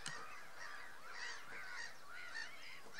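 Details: Greylag geese calling at Tophill Low nature reserve, loud harsh honks repeated about twice a second, partly overlapping, each with a slightly rising then falling pitch, steady flock chatter throughout.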